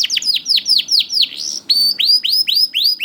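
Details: Young canary singing as a lure for reluctant canaries: evenly spaced high downslurred whistles, about four per second, shifting midway to upswept notes.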